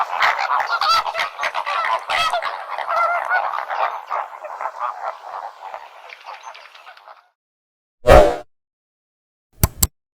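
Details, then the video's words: Flamingos giving a steady chorus of nasal honking and gabbling that fades after about seven seconds, followed by silence, then one loud isolated honk and two sharp clicks near the end. "FLAMINGO SOUND - FLAMINGO SOUND EFFECT - SOUND OF FLAMINGO - NOISE OF FLAMINGO"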